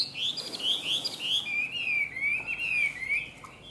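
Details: Chinese hwamei kept in a cage, pouring out a loud rich warble: looping whistled notes repeated several times, flowing into a long wavering rolling phrase.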